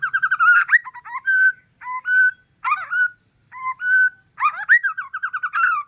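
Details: White-rumped shama, Aceh forest strain, in calm song to draw replies from other shamas: short bursts of rapid chattering notes alternating with clear steady whistles and sharp downward sweeps, phrases separated by brief pauses, with high hiss.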